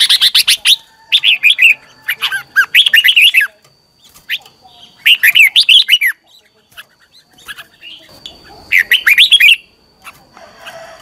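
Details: A Red-whiskered bulbul sings a morning training song used as a lure for teaching birds; clustered bursts of sharp, lilting whistled notes in quick succession, with brief gaps and soft twitters between phrases.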